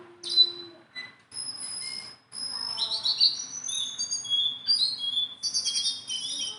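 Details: Tame Sunda bulbul opening with a few scattered notes, then building into long, high, pure whistles and sweeping slurs that thicken into twittering chatter toward the end.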